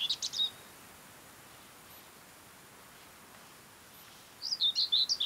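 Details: Common Whitethroat (Sylvia communis) singing in mid-May on Ona Island and the Hustadvika area, Møre & Romsdal, Norway; a short scratchy burst opens, then after a quiet gap a fast chattering warble of dry, jumbled notes starts up.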